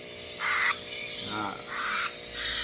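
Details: Three hand-reared cockatiel chicks being hand-fed formula, giving harsh, raspy hissing bursts about half a second long, repeated three times, over a steady low hum.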